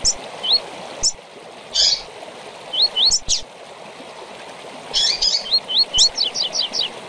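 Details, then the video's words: Double-collared seedeater song in tui tui style with chirps, for teaching young birds: sharp chirps, single and paired rising whistles, then a lively run of upslurs and descending chirps, over flowing-water noise. "Tui Tui com Piado para Encarte de Coleiro e Papacapim"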